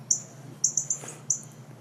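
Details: A Northern cardinal alarm call, sharp, high, metallic chips, five in under two seconds, some in quick pairs, over a faint low hum; such a sound suggests a nearby predator, a house cat the first thought.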